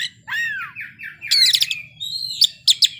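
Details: Kacer (magpie-robin) showing off its mimicked repertoire ('bongkar isian'): falling slurred whistles followed by a harsh squawky burst and short sharp chirps.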